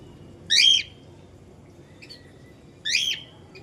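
A cockatiel gives two loud, harsh screeching calls about two seconds apart, with a fainter chirp between them over a low background hum.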